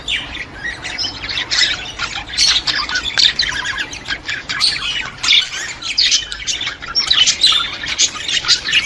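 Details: Budgerigar warbling meant to stimulate budgies: long, dense stream of scratchy chirps, squawks and quick twitters that rises and falls in loudness without pause.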